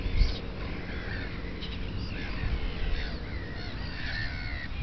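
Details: Common terns feeding small young at a seabird colony on Hayling Island Oysterbeds on 9 June 2010 give harsh, grating calls several times a second over a heavy low rumble of wind.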